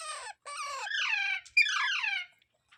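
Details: Parrot giving harsh, harmonic squawking calls: two short descending screeches, then two longer buzzy, wavering calls, each lasting under a second with brief pauses between.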